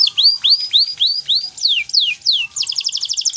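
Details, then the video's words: Energetic canary song in 'cengkok mewah' style, played to teach other birds: repeated curving whistled notes about every quarter second, a few long downslurs, then a fast high rolling trill. "Masteran Kenari Gacor Cengkok Mewah untuk Burung Bahan"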